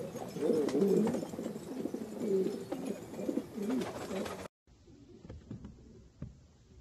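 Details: Filo pigeons of Turkey giving low, throaty rolling coos for about four seconds, then an abrupt cut to a quieter stretch with faint knocks and scattered sounds.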